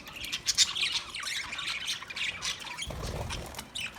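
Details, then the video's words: Budgie chirping in a fast chatter of high warbled notes and scratchy squawks, with a brief low thud near the end. "Beautiful Budgie Singing Chirping sounds"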